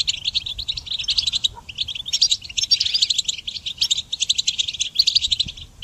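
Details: Song of a goldfinch for songbird training, with dense, chattering phrases of high tinkling and buzzing notes, broken by brief pauses about every second, against a quiet background.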